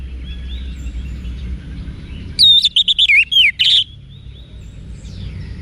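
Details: Orange-headed thrush song meant for training cage birds. One quick burst of bright, warbling whistled notes rising and falling, about eight notes in just over a second. It stands over a constant low rumble, with faint thin whistles before and after.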